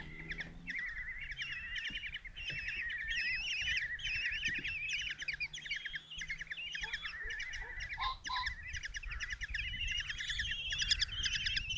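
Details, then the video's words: Five common kestrel chicks beg in their nest box at Tiszalök, Hungary, 27 June 2024, as the mother brings a mouse; a long unbroken chatter of rapid squealing notes from several young, with a low hum early on. "Common Kestrels | Mom brings mouse in breakfast for five babies"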